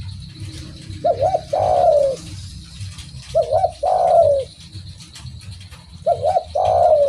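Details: Spotted dove repeating a two-part coo about every two and a half seconds: a quick wavering double note, then a long, drawn-out falling coo, over low rumbling noise.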